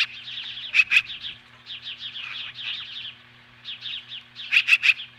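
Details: Hellgate Canyon osprey at the nest, July 15, 2015, 10:26 AM, facing magpies: a loud pair of piercing whistles, then long runs of rapid high chirps, closing with three sharp loud notes.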